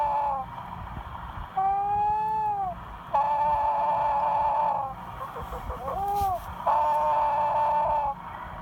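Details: A sleeping chicken snoring: long, steady, tonal drones lasting one to two seconds, some flat and some gently arching, with brief breaths between, over a low background rumble.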